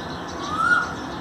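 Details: One brief rising whistle of an Asian koel, recorded 5 May 2019, swelling and fading over light background hiss.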